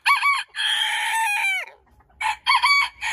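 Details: Rooster crowing: a short opening note, then a long, strained harmonic crow that slides downward at its end, followed after a pause by choppy, clipped crowing from another bird.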